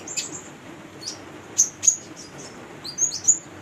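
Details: Female brown-throated sunbird singing as a lure for unschooled konin: a few isolated, very high, sharp squeaky notes spaced about half a second apart, with quiet gaps between.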